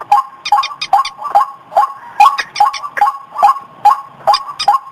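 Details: White-breasted waterhen lure call, steady run of short hoarse notes repeated about two to three times per second, each with a sharp clicking overtone, clear and close with no background sounds.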